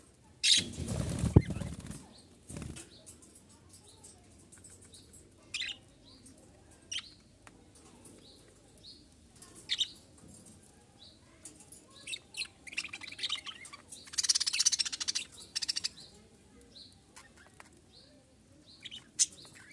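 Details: Two pet budgerigars kept as companions chirp and warble in short, scattered bursts after a loud flurry of wingbeats.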